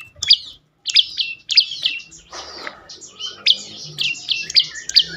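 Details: Prenjak lumut (prinia) used as lure song for silent birds, giving loud, high, downward-slurred chip notes in quick succession with a brief pause, then a steady repeated run.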